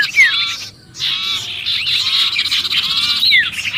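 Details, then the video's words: Brief sirpu distress sequence used to attract other birds: a sharp falling whistle, a short pause, then a steady raspy buzzing chatter ending with another downslurred note. "suara pikat sirpu Ribut kejepit"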